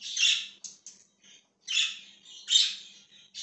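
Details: Budgerigar chirping on 20 January 2023, loud and close: harsh, buzzy squawking chirps in quick bursts, a louder pair near the start and middle, with brief silences and a faint low hum beneath.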